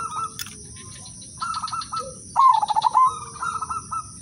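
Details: Zebra dove, udanmas silver type, melodious lure singing intended to make other doves join in: brief pulsed coos, a soft low note, then a long trilling coo phrase followed by quieter stuttering notes, a sharp click early on.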